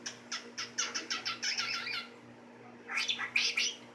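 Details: A happy, laid-back 12-year-old male pet cockatiel chirps in quick, bright, rising notes, then adds a harsher squawky burst after a pause, as contented chatter.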